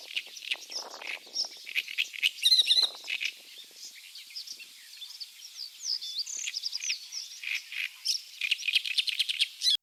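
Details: Great reed warbler (Acrocephalus arundinaceus), a bird of old reed standing in water, singing a deep, loud, rasping stream of harsh chattering notes broken by high, thin whistles, delivered in rapid bursts.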